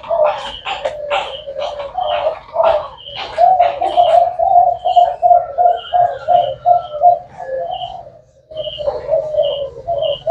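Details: Spotted dove, cu gáy of the thái hậu style, cooing steadily: low, rounded coo notes repeated in a rolling series, while higher short chirps from other birds sound throughout.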